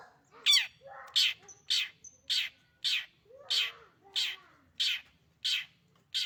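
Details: Favourite pet long-tailed shrike in active voice, giving harsh, raspy, buzzy notes in a steady series roughly every half second, a few softer sliding notes between them.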